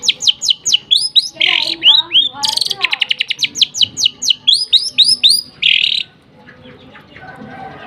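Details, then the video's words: Lovebird in rapid nembak gereja sambung song: a continuous stream of high, sharp chirps about four per second, broken by harsh buzzy bursts, then falling silent for the last two seconds. "nembak gereja sambung love bird"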